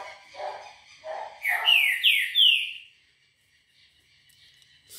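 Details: Green-winged saltator singing on a Monday, 18 October, at 6:30 in the morning: after some low murmuring, three loud, clear whistled notes slur downward and then upward in quick succession, followed by quiet.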